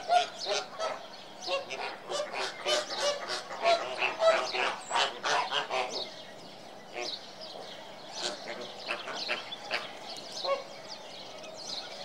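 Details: Flock of flamingos giving loud honking, goose-like calls in quick overlapping bursts, easing into quieter, sparser honks after about six seconds.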